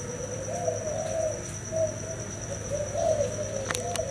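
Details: Spotted dove male that has sired several broods gives a run of low, mellow coos in short wavering phrases, with a constant thin high whine behind.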